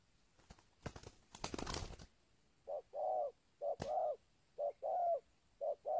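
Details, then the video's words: Local spotted dove call played as a lure for wild birds; handling noise and thumps at first, then paired mellow coos, a short note then a longer one, repeated steadily. "SUARA TEKUKUR LOKAL KUK 2 AMPUH UNTUK PANCINGAN BURUNG TEKUKUR LIAR"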